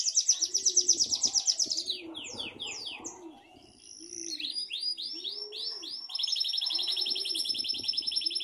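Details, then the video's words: A pet canary, tagged as a Belgian/"do reino" canary, sings a bright, rapid song of high trills and falling whistled notes in varied phrases, over soft cooing from doves in the background. "meu canário cantando!"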